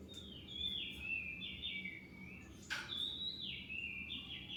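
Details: Oriental magpie-robin whistling, used as a lure to provoke other birds to answer; a falling two-step whistle is repeated about every second over steady low background hiss.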